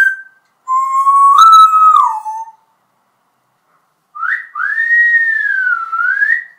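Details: Talking pet parrot, kept two years and said to know about 80 words, whistling two clear tonal phrases: a short rising whistle, then after a silent gap a longer wavering whistle that dips and climbs again.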